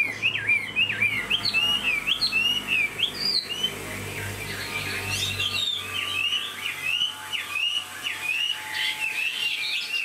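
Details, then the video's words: Caged Chinese Hwamei with a fanned tail and fresh new plumage, flicking its tail while singing: a continuous stream of fast, twisting whistled notes, rising and falling, with faint steady background tones. "Chim họa mi đuôi xòe, hót vẩy đuôi khướu cực đẹp"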